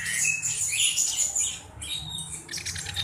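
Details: Black-browed reed warbler used as a tutor bird, singing a high, thin stream of squeaky whistles and fine buzzy notes in quick succession, with faint low rumble underneath.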